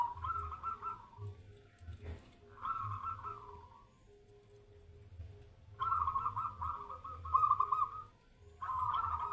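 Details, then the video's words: Perkutut under a mental test, delivering repeated rolling, trilled coo phrases separated by pauses of a second or two, over a steady low hum and faint ticking tone. "Tes mental burung perkutut"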